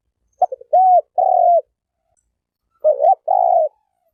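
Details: Turtle dove delivering two phrases. Each has a few clipped introductory notes, then two drawn-out soft coos, separated by a pause of over a second. The background is silent.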